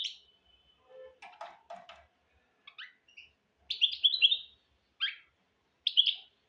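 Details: Goldfinch × canary hybrid, used for teaching goldfinches and canaries, giving separated notes: a thin whistle, some lower buzzy calls, then sharp high twittering bursts spaced about a second apart.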